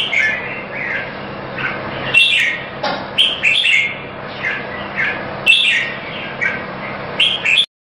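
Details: Red-whiskered bulbul from a Singapore singing competition: repeated short, bright whistled phrases with sharp onsets every second or so over continuous hiss, ending abruptly.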